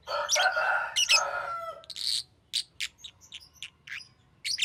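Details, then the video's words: Green lovebird opening with harsh, rasping squawks, then breaking into a series of short, high, clipped chirps spaced roughly half a second apart. "Green Lovebird Chirping Sound"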